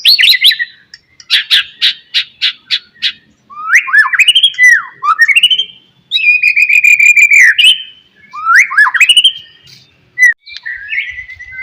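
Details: White-rumped shama singing in the morning to stimulate other shamas: a series of sharp repeated chips, then loud swooping whistled phrases and rapid warbles.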